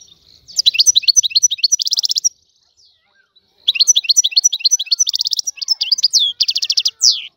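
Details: Free-living goldfinch of the Algerian type: a phrase of bright twitters ending in a buzzy trill, a pause of about a second and a half, then longer tinkling phrases with rapid repeated notes.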